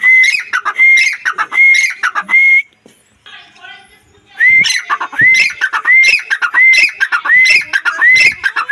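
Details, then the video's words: Sindhi teetar, or black francolin, giving rapid rising whistled calls with harsh overtones, repeated more than once a second. A short pause in the middle carries faint low sounds before the calling resumes just as fast. "Sindhi teetar, teetar Nawaz, teetar voice"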